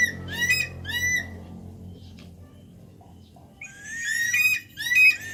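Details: Javan pond heron, Ardeola speciosa, calling with hoarse, harmonically rich squawks that rise slightly in pitch: two at the start, a pause, then a tighter cluster of three near the end.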